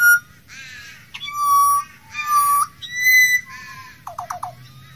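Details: A wild Australian pied butcherbird sings clear, fluted whistles mixed with harsh, raspy phrases, ending in a quick run of four falling notes over a low background hum.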